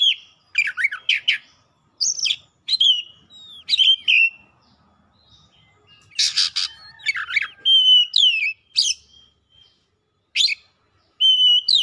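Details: Heated Oriental magpie-robin pouring out 'isian' song: varied whistles and swooping slurs alternate with harsh squawky bursts and chatter, delivered in irregular phrases separated by short pauses.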